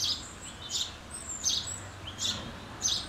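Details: Common house sparrows chirping in quick, irregular bursts of high, bright notes, some with short downward slurs, over faint low rumbling background noise.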